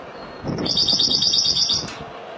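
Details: One sustained, high, shimmering trill from a Spanish goldfinch, Málaga, lasting just over a second of very fast repeated notes, over some low background rumble.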